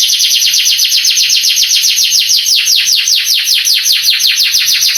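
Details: Canary song used as a master recording to excite young canaries into answering and singing; a fast, steady train of downward-sweeping high notes, about two and a half per second, loud and continuous.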